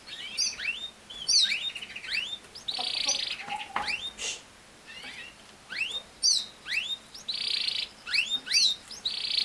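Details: Canary song in broken phrases: sharp upward-sweeping chirps alternating with short buzzy rolls, separated by brief pauses, at moderate volume.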